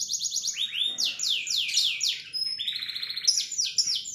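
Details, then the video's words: Canary singing a sharp 'tembakan' song: fast series of high downward-sweeping whistled notes, repeated several times a second, then a steady run of rising notes, with a faint low murmur behind. "TEMBAKAN KENARI SUPER TAJAM"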